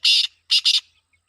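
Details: Black francolin (kala teetar) in a calling competition in Pakistan; three loud harsh grating bursts, one long then two quick together, in a short phrase, otherwise quiet.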